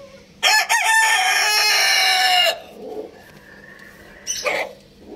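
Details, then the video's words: Rooster crowing loudly: one long harsh crow lasting about two seconds, ending in a drawn-out fall, followed by softer clucks and a short squawk. "Happy Rooster Crowing Loudly | Adorable Rooster Crowing Sounds"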